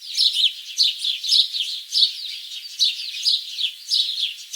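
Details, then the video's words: Bursts of high, sharp chirps come in clusters about every half second, each burst bright and slightly twittering, with no other sounds. "Bird sound"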